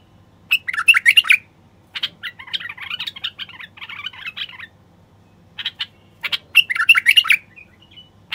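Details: Male common bulbul song played to stir silent wild bulbuls into singing and mating. Bright whistled and warbling bursts open and close the stretch, with a scratchy, chattering run in between and short pauses.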